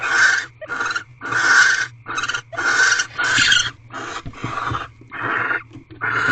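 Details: Barn owl at an owl box, mating ritual continuing for a twelfth night, 6:42 pm on 1 March 2023: a ragged run of hoarse rasping calls, irregular in length and spacing, some rougher and squealing.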